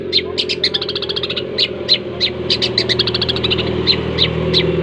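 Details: Long-tailed shrike giving an unusual, strange-sounding call: a fast, uneven run of short, sharp high chirps, sometimes in quick clusters and then spaced apart, over a steady low hum in the background.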